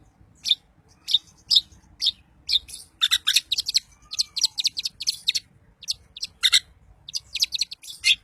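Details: Long-tailed shrike singing, meant to provoke rival shrikes: isolated high chips open the clip, then dense bursts of scratchy, rattling notes in the middle before spaced chips return.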